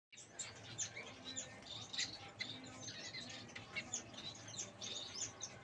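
Long-tailed finches give a busy stream of thin, high chirps and short whistles, overlapping and irregular, several birds calling at once over a faint background hum.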